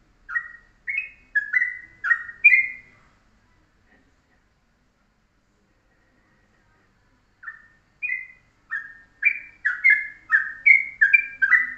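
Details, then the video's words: Yellow-vented bulbul singing in the morning in the rapid, short, tight ropelan style used as a master song for tutoring birds: bursts of liquid, bubbly notes around the middle pitch range, a pause of several seconds, then a denser run of quick phrases. "pagi pagi masteran Ropelan Trucuk dengan pendek rapet"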